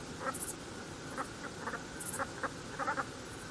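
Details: Brent geese, small dark geese of the UK coast, calling in a loose flock: brief, throaty, nasal notes in irregular clusters, some doubled, against constant broadband hiss.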